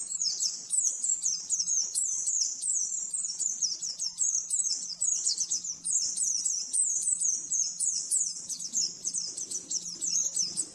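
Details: Oriental white-eye master song in the rapid 'nembak-nembak' style, used to train caged birds: an unbroken run of fast, high, thin descending twitters repeated about every half second, with a faint steady low hum behind.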